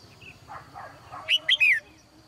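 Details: Female bird kept in a cage, morning song: soft murmuring sounds first, then a loud three-note whistled phrase with a falling final note.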